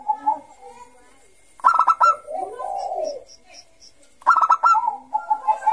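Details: Actively singing Bangkok-type zebra dove, used to stimulate young doves: soft low coos, then a burst of sharp clipped notes running into a low arching coo, and a second burst followed by fluttering trilled coos.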